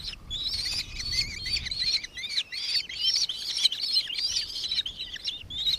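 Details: Nankeen kestrel in Victoria, Australia, December 2024, giving a continuous run of high, shrill, slightly downslurred notes in quick succession, with faint low background rumble.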